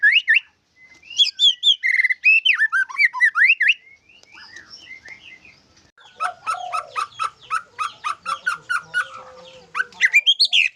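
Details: White-rumped shama singing isian fill-in: a varied warbling run of slurred whistles, a softer gap, then a rapid series of evenly repeated sharp notes about four per second, ending with more whistled phrases.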